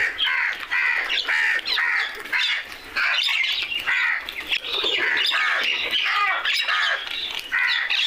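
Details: Several crows making noise outdoors, giving loud, raspy, overlapping caws in rapid series with hardly a pause. The grating calls are stacked with harmonics and keep up a continuous chorus for about eight seconds.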